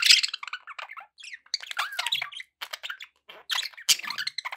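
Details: Continuous budgie chatter from pet birds: twisting warbled notes, squeaks and harsh squawks running almost without a break, with a loud squawk at the start.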